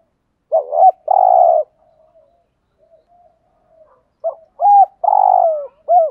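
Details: Two coo phrases from a spotted dove in the Vietnamese 'thúc gù' style, meant to provoke wild doves. Each phrase has clipped hooting notes and a broad, rough, sustained coo, with quiet gaps between.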